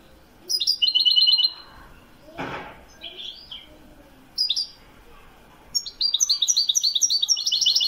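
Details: Goldfinch of the Wedani style in Morocco: short separated bursts of high, fast twittering, a brief noisy thump, then a sustained run of rapid chattering notes at the end.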